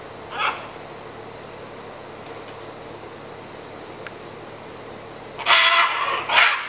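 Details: Scarlet macaws near Carate on Costa Rica's Osa Peninsula, grooming, feeding on palm nuts and fighting over feeding spots: one brief harsh squawk, a quiet stretch, then two loud raspy screeches close together at the end.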